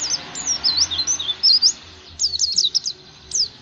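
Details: Oriental white-eye singing, used to stimulate other white-eyes: bright, high, wavering twitters in short bursts, a run of zigzag notes, a pause, then a quick cluster of chirps and one final note.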